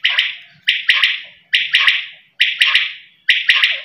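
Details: Quail calling in short, harsh, buzzy notes given in close pairs, each pair repeated about once a second, with sharp clicks at the start of the notes; quiet background.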